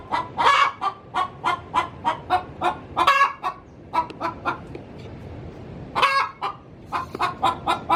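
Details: Pre-laying hen cackling in her coop, rhythmic harsh clucks pulsing about twice a second, a louder squawk breaking in after a short lull.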